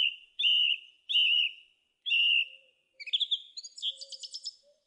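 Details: A song thrush sings a clear whistled phrase three times in a row, then switches to a rapid scratchy twitter rising into a buzzy trill. A faint low hum sits beneath.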